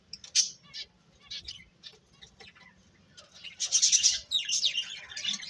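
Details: Scattered high chirps from birds, sparse and irregular at first, then a louder cluster of rapid tweets near the end, with quiet stretches between bursts.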